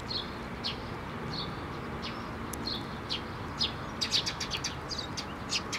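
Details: Sparrows arrive at a feeding platform at a Tenmangu shrine, 6 May 2023, to be given food; sharp, high chirps come unevenly, roughly two per second, thickening into a quick cluster partway through, with low outdoor rumble.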